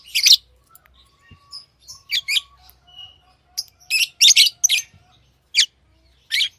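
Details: Lively high-pitched chirping from pet lovebirds: rapid sharp notes, some clustered in runs of three or four, with a faint steady whistle and soft twittering underneath.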